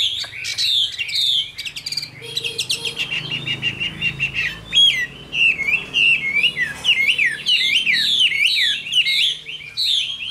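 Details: Wild-caught adult caged hwamei, Tam Hoàng type, Vietnam: a burst of sharp chipping notes opens, then a long stretch of quick zigzagging whistled warbles repeated in tight succession.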